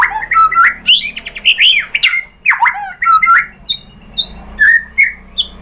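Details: White-rumped shama singing, meant to make other birds sing back: bold slurred whistles and warbles, then clear repeated whistled notes with short pauses.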